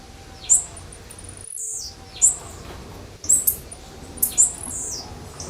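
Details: Blue-black grassquit warm-up track, tagged as female calls: a series of high, sharp, buzzy chirps, some in quick pairs, over faint background noise.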